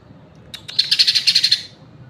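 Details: A green leafbird utters a bright, high rattling trill of roughly ten evenly spaced pulses lasting under a second, preceded by two sharp clicks, with little else audible.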